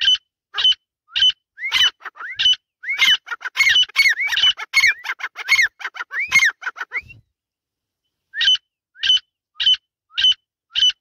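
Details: Grey francolin, female voice, a loud series of sharp high squawking notes repeated about every half second, rising to a dense overlapping burst in the middle, then pausing and resuming as evenly spaced clipped calls.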